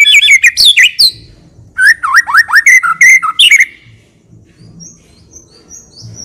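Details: Caged white-rumped shama (murai batu) singing a varied, richly filled song used as a lure for other birds: loud whistled notes and rapid chirps for about four seconds, then faint high thin notes over quiet background.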